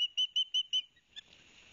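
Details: Young ospreys at a nest at Barnegat Light, New Jersey, on 13 September 2021, calling noisily as their father delivers fish. A series of five sharp, evenly spaced whistled notes is followed by a softer note and faint hiss.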